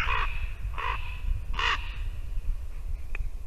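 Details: Raven at a white-tailed eagle nest in Latvia, winter morning, three harsh hoarse croaks spaced under a second apart over steady low rumbling background noise, ending with a faint click.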